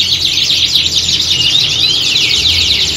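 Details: Group of canaries in a competition-style chorus used to train a bird's nerve. Rapid high rattling trills interlace with descending whistled notes, non-stop through the clip, with a soft hum below.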